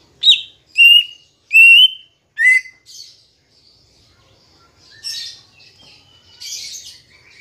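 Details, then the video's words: Green leafbird song used as a lure to get kept birds singing: four loud clear whistled notes near the start, the first rising sharply, then softer scratchy chatter and a short whistle, ending in a harsh burst. "Pancingan Cucak Ijo Biar Bunyi dan Cepat Gacor"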